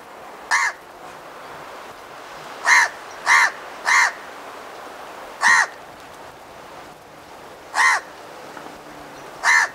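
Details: House crow (Corvus splendens), call.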